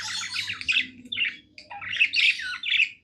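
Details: Happy pet budgerigar singing indoors: a chattering warble of fast buzzy chirps and squeaky notes, two dense bursts separated by a brief pause, with a faint low hum behind.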